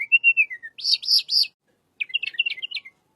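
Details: Little pied flycatcher song, used as a lure for white-rumped shama: an arched slurred whistle falling away, three buzzy bursts, then a rapid jumbled twitter of high notes.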